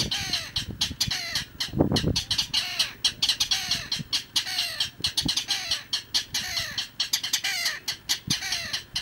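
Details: Mangrove rail at Icapuí, Ceará, Brazil, giving a long series of harsh, rattling clapper notes with descending strokes, steady and loud, with low rumbling noise beneath.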